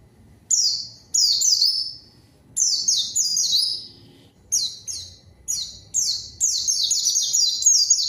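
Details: White-eye song used as a lure to call a rival and get silent white-eyes singing: bursts of high, thin, downslurred whistled notes in quick runs, separated by short pauses, with faint low background rumble.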